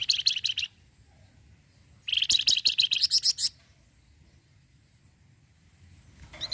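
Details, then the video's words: Orange-headed thrush singing vigorously in a fast 'cretetan' chatter that prompts other birds to reply; short bursts of rapid, high, ticking chirps repeated in quick runs with silent gaps, and a faint rustle at the end. "flamboyan gacor cretetannya bikin nyaut burung lain"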